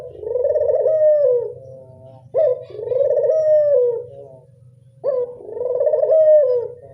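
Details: Barbary dove of local stock used as a lure for doves, giving three purring coos, each opened by a brief sharp note and swelling into a rolling, gently falling tone, spaced about two and a half seconds apart, low hum behind.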